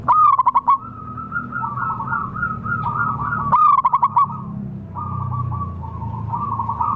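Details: Wild local zebra dove recorded as a lure for attracting wild birds: loud bursts of rapid pulsed coos near one pitch, given twice, with softer overlapping cooing from other doves between them.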